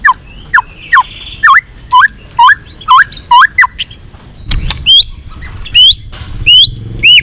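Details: Fighting-provocation song of a white-rumped shama. Rising, looping whistled notes repeat about twice a second, then shift to higher, curling whistles after a short noisy pause.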